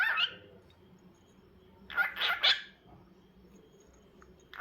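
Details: Harsh, broadband squawks from a cockatiel in two bursts, the second a rough double call, separated by quiet.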